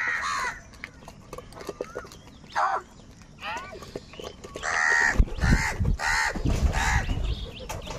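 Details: Crows calling loudly while fighting for food, harsh caws in bursts, strongest in the last three seconds, with other birds and background noise.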